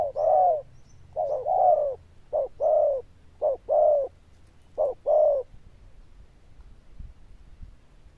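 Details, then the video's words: Zebra dove with a loud 'đồng chuông' voice coos in short-long pairs about once a second, then falls silent for the last few seconds. A few soft knocks follow. "Đồng Chuông Lớn Tiếng, Nước Gù khá Tốt"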